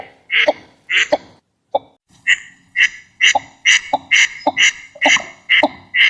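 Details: Northern shoveler duck in its natural wetland habitat. Two rasping calls lead into a short pause and a low knock, then a steady run of buzzy nasal calls about twice a second.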